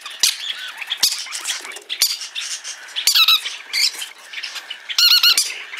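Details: Green-cheeked parakeet, a hand-tame pet bird, giving harsh, high squawks and squeaky chatter in bursts of varying length, some with a ringing, wavering tone, repeated irregularly about every second indoors.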